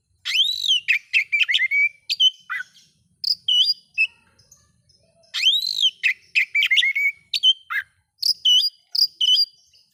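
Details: Oriental magpie-robin song aimed at provoking other magpie-robins, with strong arched whistles, fast twittering runs and sharp chips, repeated in phrases over about ten seconds.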